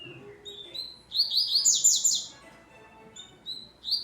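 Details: Double-collared seedeater coming out of moult delivering a rapid, high, buzzy trilled phrase with short thin introductory notes, sung very fast.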